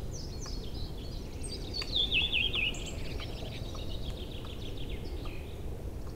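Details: Birds just back in April, singing in forest and meadows beside a spring river: one brighter twittering phrase in the middle amid faint scattered chirps from others, low rushing sound underneath.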